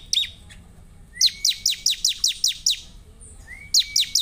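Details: Vigorous gacor-style bar-winged prinia singing: a rising thin whistle leads into a steady string of about eight sharp descending chips, a pause, then another whistle and chip series, nearly free of background noise.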